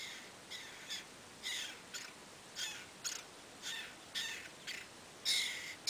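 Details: Lewis's woodpecker mother at the nest, trying to lure her chick to fledge, gives harsh, scratchy, high calls in an uneven series, roughly one every half second, with faint background hiss.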